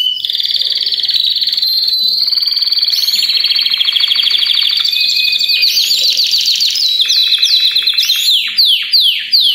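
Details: Belgian canaries sing together in a dense chorus of sustained fast trills at changing pitches. Toward the end come repeated sharp downward-swept notes and scattered high chips.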